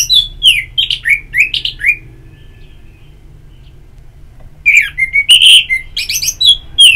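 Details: Orange-headed thrush giving loud ngeplong song for therapy playback: a quick series of rich, varied whistles and slurred notes, a silent gap of nearly three seconds, then another dense burst of bright warbling.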